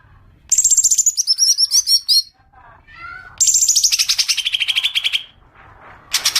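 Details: Green leafbird lure call aimed at triggering long chattering: high whistled phrases dissolving into fast stuttering trills, a lower buzzy note between, then a long rattling run of rapid repeated notes and a final burst.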